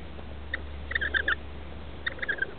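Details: Rainbow lorikeet chicks, 21 and 17 days old, in a roof nest as parents arrive to feed them, give faint, thin, squeaky chirps in three short bursts over a low steady hum.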